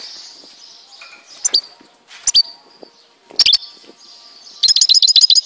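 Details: Goldfinch from Tizi Ouzou, Algeria, giving a few separated sharp, high, metallic notes over a faint steady background hum. The sequence ends with a brief rapid trill of about eight ringing notes.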